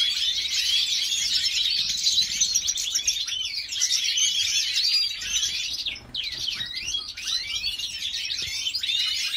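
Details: Jordanian breeder's female goldfinch, white-headed mutation, delivering a busy high warble of quick chirps about two or three per second, with a brief dip in loudness around the middle.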